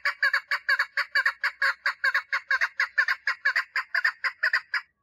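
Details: Female chukar partridge calling to attract a mate, a steady series of grating, doubled chuck notes repeated quickly and evenly for five seconds, then silence.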